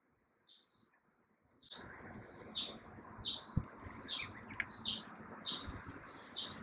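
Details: Brown-eared bulbul at a veranda bird feeder, April 2020: a series of shrill, high, short notes repeated roughly twice a second, over a steady low background rumble.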